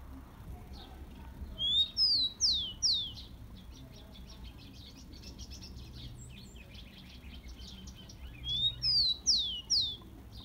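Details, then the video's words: Tico-tico, the rufous-collared sparrow, singing a warm-up song meant to fire up caged birds: two bursts, each a rising whistle followed by two or three bright falling slurs, with faint high chips between them and low background hum. "CANTO DO TICO TICO MELHOR ESQUENTA DE TICO TICO PRA FOGUEAR ESQUENTAR SEU TICO TICO"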